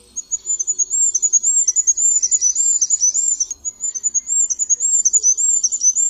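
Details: Thin, extremely high Goldcrest (Regulus regulus) song: two rapid runs of repeated tinkling double notes, each building to a brief terminal flourish.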